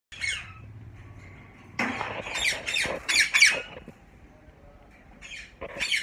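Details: Caged yellow ringneck parakeet pairs kept in Mian Channu give harsh, grating screeches in short bursts, several overlapping in a loud cluster mid-way, with a few further squawks after a brief lull.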